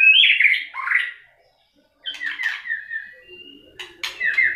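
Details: White-rumped shama singing in fighting form with strong tail flicks: a rich, loud warbled phrase, a short silence, then softer whistled notes and clicks.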